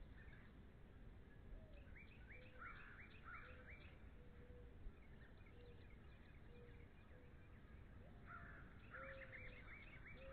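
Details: Bald eagle pair at NCTC in February 2013, giving bursts of rapid, high, upturned chirps in two bouts, separated by softer, lower, drawn-out whistles, with constant low background rumble.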